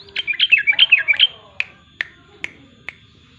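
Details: Sooty-headed bulbul in lively song: a quick bubbling phrase of about eight bright, warbled notes in the first 1.3 seconds, then four sharp single clicks spaced roughly every 0.4 seconds over a quiet background.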